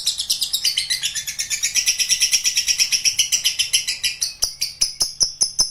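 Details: Lovebird in a long ngekek panjang trill: high, rapidly pulsed chatter that gradually breaks into separate sharp chirps with clicks toward the end.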